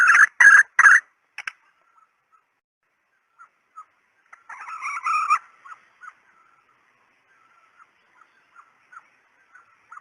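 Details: Female red junglefowl decoy sound: three loud harsh clucks, a few softer notes, a short harsh burst mid-clip, then scattered faint ticks.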